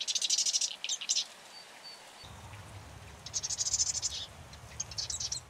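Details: Marsh wren song: two brief rapid buzzy trills of high notes, separated by a pause, with low rumbling background noise starting midway.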